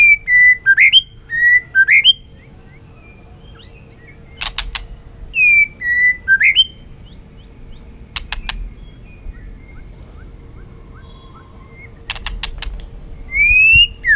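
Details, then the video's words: Caged white-rumped shama, fired up and hopping across its perch floor, singing to provoke other birds into competitive song: clear whistled phrases that slur down then sharply up, repeated in quick bursts, broken by sharp clicking taps. "chòe lửa rực lửa đập chạy sàn cầu, hót dụ chim kích lửa hót đấu căng lửa"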